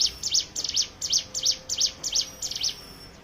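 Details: High, sharp, rapidly repeated chirps from a hill prinia, used as a lure to get other birds singing; paired notes in a steady rhythm.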